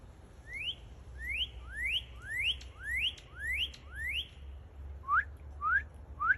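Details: Northern cardinal singing seven rising slurred whistles in quick succession, then shifting to three shorter, lower, steeper upward notes; clear phrases with a low steady hum beneath.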